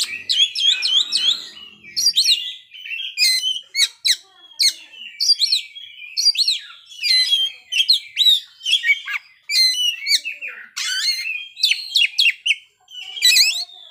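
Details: Oriental magpie-robin's playful showcase song of fill-in phrases: sharp, high, clipped notes and trills come in short bursts for about fourteen seconds, with a faint low murmur near the start.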